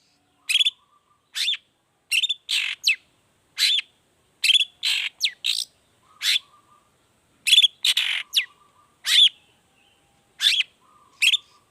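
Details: Long-tailed shrike performing a 'toet toet' variation pancingan lure meant to prompt other shrikes into song: a dense run of harsh scratchy notes mixed with brief whistled fragments, nearly continuous.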